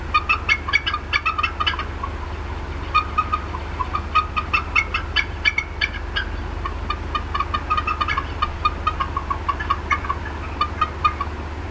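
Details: Bald eagle mother at Decorah North nest clucking persistently while upset about something in her area, April 2016 afternoon; long sequences of rapid, sharp clucks in several bursts separated by brief pauses, accompanied by a continuous low hum.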